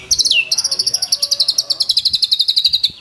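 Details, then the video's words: White-rumped shama singing a fast, high pulsed trill, a brief downslur followed by a long even series of rapid clicking notes sustained for over two seconds. "MURAI GACOR BONGKAR ISIAN !!! MURAI BATU ISIAN MEWAH FULL TEMBAKAN"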